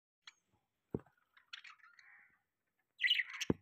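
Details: Pet budgerigars give soft, scattered chirps and a brief warbling chatter, then a louder burst of quick, squeaky chirps, broken by sharp clicks in an otherwise quiet room.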